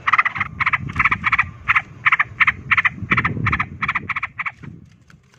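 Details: Sooty-headed bulbul in ropel fighting song that stirs other bulbuls to fight, delivering a fast, rhythmic series of bright, clipped chattering notes with a faint low rumble beneath.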